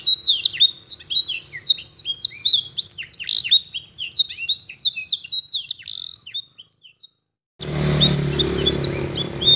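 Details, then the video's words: Canary singing a long, clear song with blackthroat and sanger phrases: a fast, unbroken stream of high chirps, trills and sweet whistled phrases, a brief pause, then more over a faint low hum. "Kenari isian blackthroat dan sanger"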